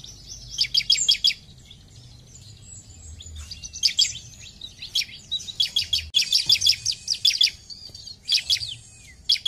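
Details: Ciblek, the bar-winged prinia, in a lively chattering song: irregular bursts of rapid, high, clipped chirps, some runs long and dense, linked by thin sliding notes and brief pauses.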